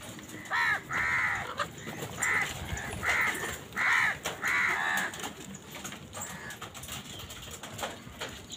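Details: Crows contesting food with wild birds call in a burst of six harsh, nasal caws over five seconds, each slightly drawn out, then fall silent apart from faint background clicks.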